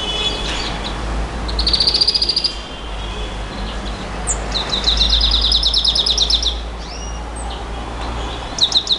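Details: Nightingale giving a 'bouh gnaoui goubaa' style song: several fast trills of high, sharp repeated notes separated by pauses, one long rattling run in the middle, with low rumbling background noise.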